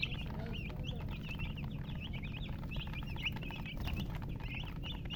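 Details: A flock of baby chicks peeping continuously, rapid bright chirps that rise and dip, overlapping with each other above constant low background hum.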